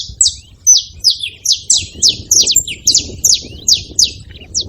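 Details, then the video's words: Saffron finch, a string of high, clipped chirps that slide downward, repeated at an even quick pace, with a muffled low hum underneath. "Canário da terra fazendo barulho"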